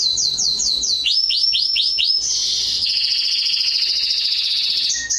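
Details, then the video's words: Canary singing as training for young birds, with quick descending notes, then a row of lower rising-falling swoops and a long rapid rolling trill. "CANARY SINGING - Serinus canaria | كناري | canarios"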